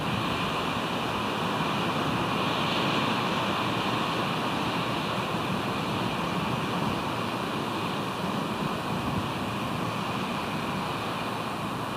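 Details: Steady roaring wind and surf noise throughout, with no animal sound heard.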